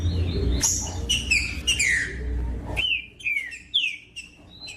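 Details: Green-winged saltator singing, played to warm up and stimulate other saltators to sing: loud whistled phrases with downward-slurring notes, a steady low hum beneath for the first three seconds, then clearer separate whistles.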